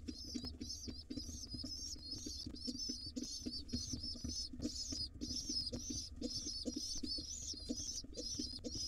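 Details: Crazy-hungry wild pigeon nestlings fed by their dad in a nest box keep up a dense, continuous train of shrill wavering squeaks, almost without pause, over rustling and low hum.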